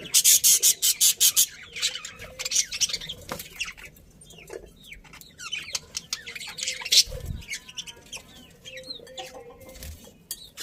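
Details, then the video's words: A budgerigar colony chirping, opening with a fast run of loud regular chirps, then scattered squeaky whistles and rising notes among clicks, rustling and a low thud. "Happy Budgies Chirping Sounds"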